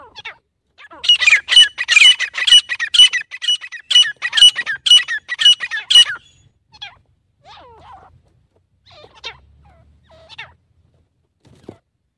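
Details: Grey francolin call, loud harsh repeated notes in a fast series of about eleven strident phrases over five seconds, then scattered quieter chirps and short squeaks with pauses.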